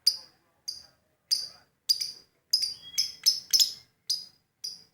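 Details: Lovebird in energetic song, a steady series of about a dozen short, sharp high chirps, spaced roughly half a second apart and bunching closer together midway, over a quiet background.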